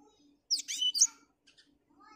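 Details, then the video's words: Short, loud snatch of black-throated finch song on a cloudy morning: a couple of dense, shrill twittering notes with sliding whistles, then scattered faint chirps. "Blackthrout Ngoceh di pagi yang mendung"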